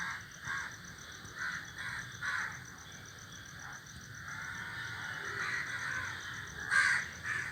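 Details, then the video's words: Crows in a flock perched in a tree give rough, nasal caws spaced about a second apart, then a louder harsh call near the end, with a thin steady high-pitched buzz running underneath. "A flock of crows sitting on the tree is making noise"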